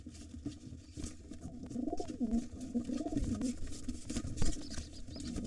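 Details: During a nest fight between wild pigeons, a gray intruder and the returning white father, soft guttural coos ripple through the middle of the recording over a constant low hum and scattered knocks.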